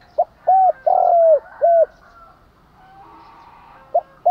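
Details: Lure spotted dove cooing in the morning to provoke wild birds into fighting: a run of four hollow, arched coos with one longer middle note, a pause, then two more coos starting.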